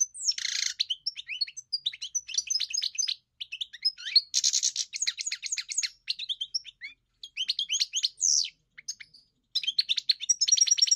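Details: European goldfinch singing a sustained tinkling twitter, interspersed with several harsh wheezy buzzes and brief pauses, high and bright throughout.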